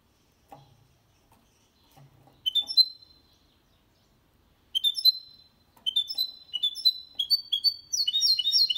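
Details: Singing goldfinch-canary mule, a clean song meant to spur males into song and help young birds memorise it; short bursts of bright whistles separated by pauses, building into a fast, continuous twittering trill at the end.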